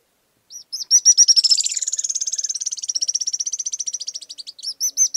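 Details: Stripe-crowned Spinetail song: a long, fast, high trill of sharp notes that starts slightly higher, then runs steadily for about four seconds before a few separate chips at the end.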